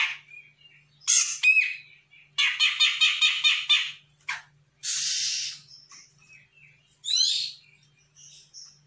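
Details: A young (bakalan) Sumatran grey-cheeked bulbul responds readily to a lure recording, giving loud, harsh chattering phrases: a rapid rattling series, a rough buzzy burst, and sharp slurred whistles, high-pitched and busy.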